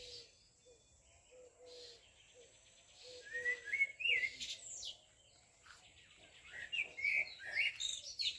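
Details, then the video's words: Birds call in two bursts of high, rising and falling chirps and quick whistled slurs, separated by a quieter stretch. Soft, short, low notes repeat in the opening seconds. "The sound of birds - (Звук птиц)"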